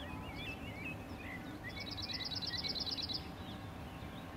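A cirl bunting gives a dry, rapid, high-pitched rattling trill of about a dozen even notes, over low rumbling background noise and faint chirps from other birds.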